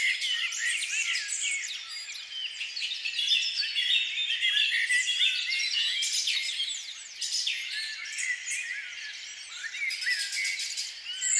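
Common mynas keep up a dense, overlapping chatter of harsh squawks, gurgles and sharp whistles, several birds calling at once with barely a pause.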